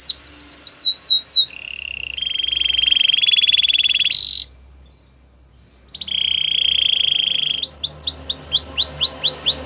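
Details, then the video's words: A canary sings to encourage others to join in: quick downslurred whistles, a sustained rolling trill ending in a sharp high note, a pause, another long roll, then looping upswept whistles. "Special canaries to seduce all the canaries to make them sing"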